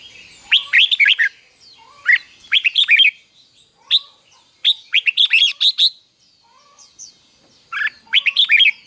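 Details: Red-whiskered bulbul song played daily for young birds to learn: bright, bubbling, warbled phrases of several quick notes, repeated in bursts about every one to two seconds.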